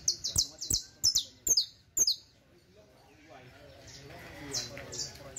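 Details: Criollo canary song used for teaching: a quick run of sharp, high descending chirps about three per second for two seconds, followed by softer distant notes and low murmuring in the background.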